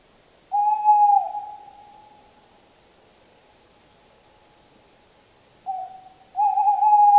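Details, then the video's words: Two Tawny owl hoots several seconds apart, each a smooth, level, hollow note with a long echoing tail. The second is preceded by a short softer note. "Canto da Coruja-do-mato (Strix aluco)"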